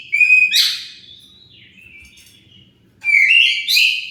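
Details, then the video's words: Oriental magpie-robin singing a lure song to make rival birds respond; a loud whistle with a scratchy flourish, a long quiet gliding note, then a rising, rasping whistled phrase. "Pancingan Kacer pasti nyaut"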